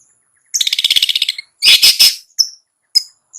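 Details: Long-tailed shrike (cendet) in the ngetet song style, used as a lure to set sluggish shrikes singing: a rapid buzzy chatter of harsh notes, then a dense rasping burst and two short sharp calls.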